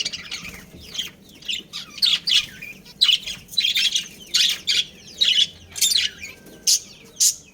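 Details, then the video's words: Chirping budgerigars from a breeding pair and family deliver loud, sharp chirp bursts about every half second, each a scratchy cluster of high notes, over a faint low hum. "Adorable Budgies Chirping Sounds"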